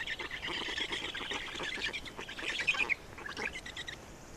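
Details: Black storks in Estonia, nest feeding, 27 May 2019: rasping chatter for about three seconds with one sharper squeal near the end, then softer scattered buzzy pulses.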